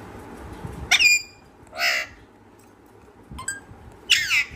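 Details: Pet parrot calling after a person's laugh: a sharp harmonic squawk, a nasal drawn-out note, a short click and a final falling screech, with quiet gaps between.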